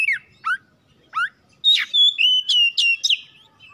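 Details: House-kept oriental magpie-robin singing, used as a lure to prompt other kept birds into song: three sharp descending whistled notes, then a rapid run of loud, ringing, slurred whistles and chirps in a bright high register.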